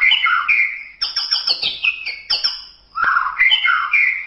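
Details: White-rumped shama (murai batu) song used as a masteran training recording: loud, fluid whistled phrases sliding up and down, bursts of quick chattering notes in the middle, a short pause, then rich whistles resume; no other sounds.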